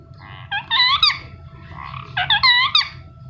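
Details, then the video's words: Indian ringneck parakeet chirping: two bursts of harsh, nasal, rising-and-falling squawks with rich overtones, each lasting about half a second, over a steady electrical hum and low room noise. "Parrot Chirping Sound | Parrot Natural Sound"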